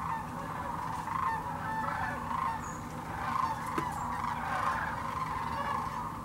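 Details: Sandhill cranes by the thousands at the Hiwassee Wildlife Refuge, Birchwood, East Tennessee, where they migrate each year: unbroken rolling, trumpeting flock calls, with slightly louder individual calls swelling every second or so above the crowd. Filmed with GoPro Hero 9 and Canon PowerShot.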